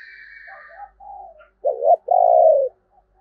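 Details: Spotted dove decoy bird calling to lure wild doves: faint high whistly notes, then a low two-part cooing phrase, a short doubled coo followed by a long, steady, slightly falling croon.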